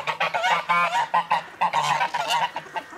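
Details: Geese let out of their house in the morning, calling out with joy: loud, nasal honks overlap in a busy, excited chorus of short and drawn-out calls.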